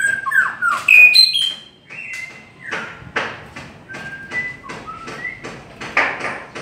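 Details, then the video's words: White-rumped shama singing a long song: clear whistled phrases sliding between pitches, bright high notes early, then spaced, varied whistles and short bursts repeated through the clip. "Chim chích chòe lửa hót hay giọng dài"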